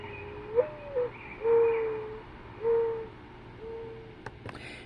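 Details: A Mourning Dove in a Vermont backyard gives low, soft, owl-like coos: a rising note, then several steady drawn-out hoots, with faint clicks near the end. Such cooing can go on all day.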